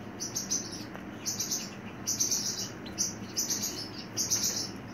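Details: Pet Pacific parrotlet giving bright, high-pitched chirps in short clustered bursts, spaced irregularly about every second, over a faint low indoor hum.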